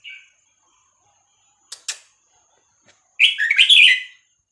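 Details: Red-whiskered bulbul of Vietnamese stock, '3-4-5-6-7' song style used to teach young birds and rouse them; a brief high note, two sharp clicks, then a single fast bubbling phrase of warbled notes lasting about a second.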